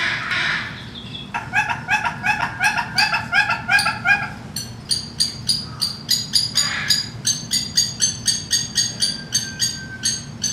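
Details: Male red-billed hornbill, new to a zoo bird house in Saint Louis, giving a rhythmic series of clucking, harmonic-rich notes, about three per second, quickening toward the end; calls of neighbouring birds in the background.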